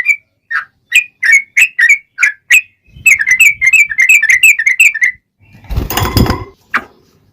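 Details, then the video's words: Sooty-headed bulbul, a long rapid song used as a lure to prompt other birds to reply: evenly spaced bright whistled notes, then a faster dense run, followed by a burst of broad rustling noise and one final note. "SUARA trucukan gacor ROPEL PANJANG"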